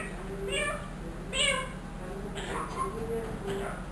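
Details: Pet ringneck parrot, one year old and trained, copying a cat's meow along with spoken phrases: several short, nasal, harmonic meow-like notes bending up and down, spaced about a second apart, over low indoor hum.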